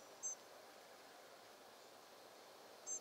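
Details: Flock of Spotted Flycatchers migrating at night, mid-May 2023 at 3:50 am: two very thin, high, short 'si' flight calls about two and a half seconds apart over a soft background hiss.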